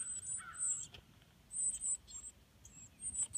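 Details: Baby northern cardinals being fed at the nest give shrill, high-pitched squeaky chirps in quick clustered bursts with short pauses, and one lower slurred note early on.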